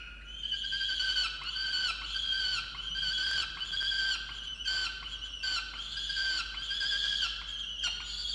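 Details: Angry peregrine falcon at a nest box in a water tower, Orange, New South Wales, 8 November 2022, scolding its mate over missing breakfast; long, drawn-out harsh wails with rich harmonics, rising and falling, punctuated by clicks roughly every second.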